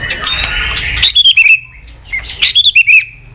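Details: White-rumped shama singing, recorded as a master song to train other shamas: clear whistled notes near the top of the range in two bursts of four to five quick phrases, with a hissy noisy passage at the start.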